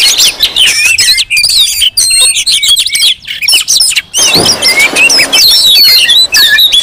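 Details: Dense, rowdy Oriental magpie-robin calling meant to lure and provoke magpie-robins: rapid layered whistles and twittering chips with brief pauses, then clear rising and falling whistles in the second half.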